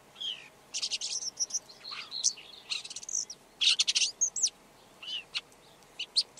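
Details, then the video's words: Red-backed shrike delivering a varied, scratchy warble that mixes harsh buzzy bursts, short whistles and rapid clicking notes over six seconds. "Red backed Shrike · Lanius collurio - song"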